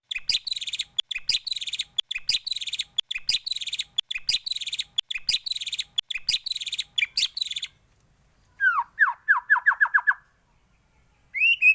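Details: White-rumped shama song with varied phrases, used as a training recording for other birds: about seven seconds of rapid harsh chattering bursts, then a quick run of descending whistled notes and a final rising whistle.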